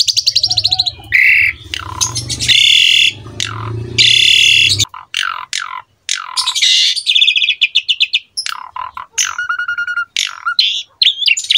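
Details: Master song of an Asian pied starling, meant to be copied by young starlings, mixes grating squawks, falling whistles and quick chattering notes; a steady low hum runs through the first half, then stops.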